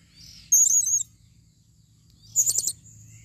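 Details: Female blue-crowned hanging parrot calling in 2021: two very high, thin trilled phrases about two seconds apart, each roughly half a second long, over a low hum.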